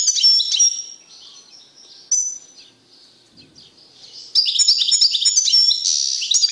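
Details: Caged male European goldfinch singing strongly after being separated from a female canary it had mated with: bursts of high, liquid twittering and tinkling notes, with a quieter pause in the middle before an energetic twittering run.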